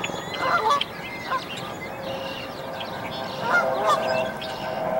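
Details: Canada goose by a tree nest while newborn goslings jump to follow her; a few nasal honks at the start and again near the end over steady background hiss.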